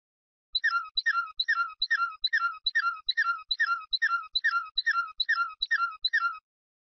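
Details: Canary singing in the flute style: a steady run of about fourteen identical bright chirping phrases, each a quick high sweep with a lower ringing note, repeated evenly more than twice a second, with faint ticks underneath.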